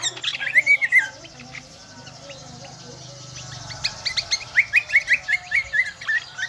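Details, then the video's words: Endemic Lombok kecial kombo in full shrill song: an opening burst of slurred chirps, a quieter pause with soft high ticks, then a rapid string of upslurred notes about three per second. "burung kecial kombo gacoorrr melengking"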